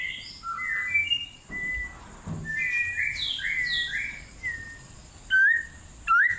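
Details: Melodious White-rumped shama song in cool forest: varied bright whistled notes rising and falling in quick succession, ending with two loud upslurred whistles.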